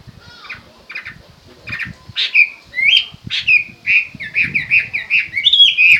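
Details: Chinese hwamei singing a loud run of rich whistled notes that starts quietly and builds. Slurred phrases are repeated several times a second and grow stronger toward the end, with faint low rumbling underneath.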